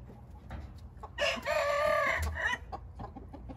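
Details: Crowing Hint rooster: a single rough, sustained crow lasting over a second with a strained, buzzy tone that breaks at the end, with faint clucking and low background noise around it.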